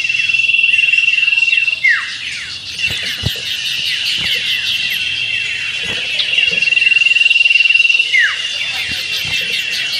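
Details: A common iora sings meriwit ngetir in a simulated songbird contest. A high, buzzing, sustained trill recurs twice and is interwoven with rapid chattering and sharp downslurred whistles, all continuous and dense, with scattered low taps.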